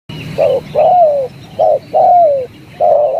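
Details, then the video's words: Spotted dove calling in the 'tarik akar' style: low, mellow coos, short notes alternating with longer drawn-out coos that slide downward, five phrases in about three seconds, against a quiet background. "jergot suara tarik akar"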